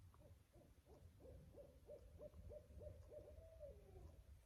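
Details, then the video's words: Two eastern barred owls calling back and forth around 7:25 on the last day in the Smokies along the Appalachian Trail: a quick series of about ten low, even hoots ending in a longer, drawn-out falling hoot, faint and distant. "I think these are eastern barred owls, but there are 2 of them, and they're calling back and forth, and we hear them."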